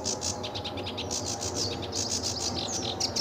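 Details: Brief burst of sedge warbler song at RSPB Fowlmere on a sunny July 2013 morning: quick scratchy chips and faint sliding whistles against noticeable background noise.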